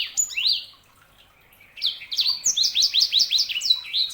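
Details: Canary hybrid (sanger) gives a few opening chirps, goes quiet about a second, then launches into a fast even series of repeated high downslurred notes.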